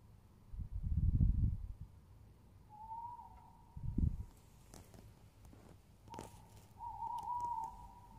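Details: Tawny owl, recorded 22 07 20: two long, steady tonal notes a few seconds apart, the second longer and louder, amid low thuds and some brief rustling noise.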